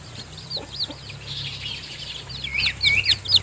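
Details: Newly hatched chicks in a nest with their mother hen, who is feeding them; the chicks are still weak and have not left the nest. A chorus of high, thin, arched peeps repeats rapidly and grows louder toward the end.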